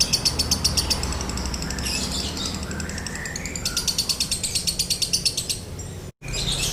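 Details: Lovebird in 'konslet' style with a dry tone, used as a lure to set other lovebirds singing: fast, even, high chattering pulses, briefly broken by a rising whistled slur, then a short cut and more chatter, with low background hum.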